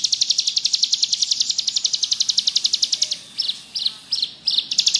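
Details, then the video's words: Ciblek gunung, the bar-winged prinia, in full ngebrem song for masteran: a rapid high buzzy trill for three seconds, then a few spaced, separate chipping notes before the trill resumes. "Burung ciblek gunung gacor ngebrem cocok buat masteran"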